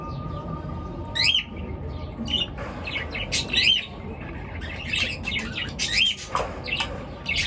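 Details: Morning chorus of chirping birds: short rising whistled notes and brief harsh squawks scattered every second or two, with a low hum in the background.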